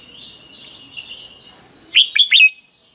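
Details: Red-whiskered bulbul in morning training song; a faint steady whistle from another bird, then a loud, bright three-note chirpy phrase.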